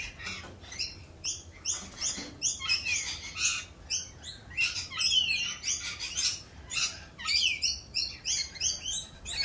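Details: A flock of rainbow lorikeets in mating season, raucous while performing the mating dance, keeps up continuous overlapping screeches and chattering squeals, pulsing steadily throughout.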